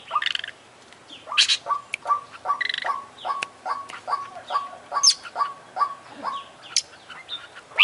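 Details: Oriental magpie-robin (kacer), an international champion bird in full vigorous song packed with isian fill phrases: a steady run of short clipped notes with downward flicks, about two per second, broken by high sharp whistles and brief bright trills.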